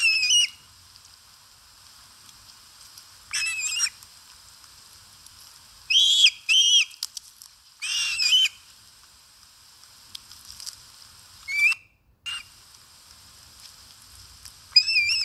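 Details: Osprey at its nest while eating, filmed by a live nest camera in Satakunta, Finland, on 4 August 2022: shrill whistled chirps with a ringing, slightly wavering pitch, delivered in about six separate bursts, some doubled, over quiet background.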